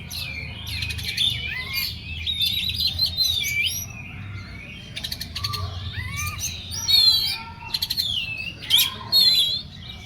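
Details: Oriental magpie-robin singing in an agitated, excited state: loud varied whistled phrases sliding up and down, mixed with harsh rapid buzzy rattles in short bursts, with a steady low hum underneath.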